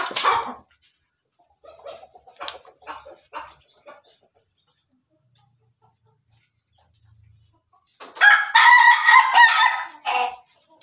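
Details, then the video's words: Ayam Ketawa rooster in the afternoon. Its crow is a loud two-second run of quick, harsh, stuttering syllables like laughter, which comes after a few soft clucks and a brief raspy note. "ayam ketawa hunting sore hari"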